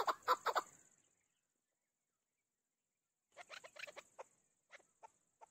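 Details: Chukar partridge (chakor, keklik) giving a quick burst of three loud clucks, then a long silence, then a looser series of chuk notes that trail off into single spaced clucks.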